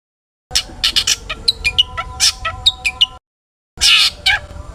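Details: Long-tailed shrike delivering an energetic, note-rich song used to excite other shrikes into singing: a run of clipped chirps and high whistled notes, a pause, then a harsh burst.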